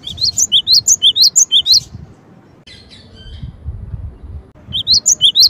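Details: Cinereous tit, known locally as gelatik batu, with a quick string of high, sharp chirps, a pause with a faint scratchy sound, then the chirping series resumes.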